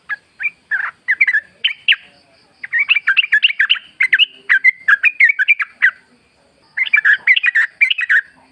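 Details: Bulbul (trucukan) singing in the wild, used as a lure recording: bursts of bubbly, chattering whistled notes around mid pitch, delivered in quick runs with short pauses, a final rapid series after a brief gap.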